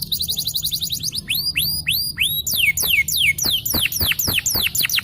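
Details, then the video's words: Yellow canary, a champion singer, in long song: fast high trilled notes give way to arched whistles and then a string of descending slurred notes, about three per second. "The choice of the yellow Canary is the cool long sound of the champion"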